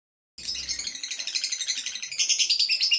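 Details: Male lovebird ready for a singing contest: after a brief silence, a dense, high, rapid chattering song of repeated harsh pulses, about three per second, growing louder near the end.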